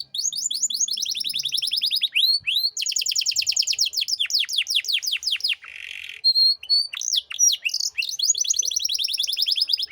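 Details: Persistent canary song, 'cengkok mewah' style, recorded as a master for untrained birds: almost unbroken fast trills of downswept notes, a brief harsh buzzy burst midway, then more rolling rapid phrases.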